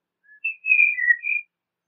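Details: Single song phrase of a Eurasian golden oriole: a soft lead-in note followed by a liquid, yodelling run of clear whistles sliding up and down, with no other sounds.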